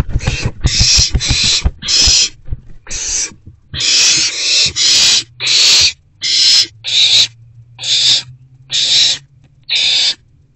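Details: Owls in a nest box during two evening rodent deliveries, 29 March 2024. A quick run of low clicking taps opens the recording, then harsh hissing bursts repeat about once a second, with a faint low hum.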